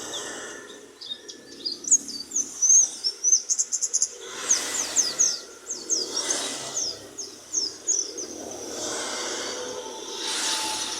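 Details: Oriental white-eye in lively song: sharp, high twittered notes in rapid runs, repeatedly interrupted by loud bursts of rushing noise, with a fainter twittering continuing afterwards.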